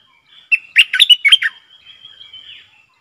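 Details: Streak-eared bulbul decoy, kept to attract wild birds and train young ones, sings a lively run of about six bubbling whistled notes, with a faint thin trailing whistle afterward.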